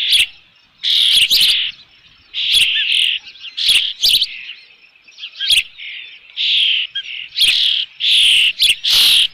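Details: Osprey at a ranch nest with a fish, June, around five in the afternoon: loud shrill whistled calls in repeated bursts about a second long, mixed with sharp broadband clicks and knocks.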